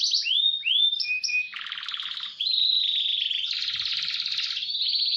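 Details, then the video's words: Canary singing roll and speed phrases as a training model: slurred rising whistles, then broad buzzy trills and steady rolling notes held for several seconds. "Masteran KENARI GACOR Roll SPEED"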